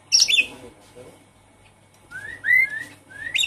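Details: Javan pied starling song meant to encourage a stressed, silent caged bird: a scratchy opening note, a pause, then clear rising whistles repeated in short series.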